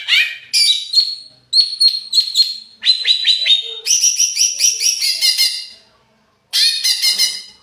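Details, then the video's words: Caged greater green leafbird singing agitatedly as a lure song, mixing sharp whistled notes, slurred chirps and fast rattling phrases in several bursts separated by short pauses. "Pancingan burung cucak ijo emosi"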